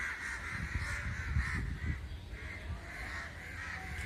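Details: Crows assembled in a group, behaviour called a mystery; a crowded chorus of harsh, nasal caws runs without pause, with low rumbling and thudding noise beneath.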